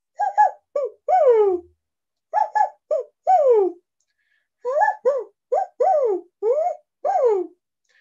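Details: White-winged Dove, a year-round resident backyard bird in North Texas, cooing in three phrases, each a few short hoots ending in a long, drawn-out falling coo, like 'who cooks for you'.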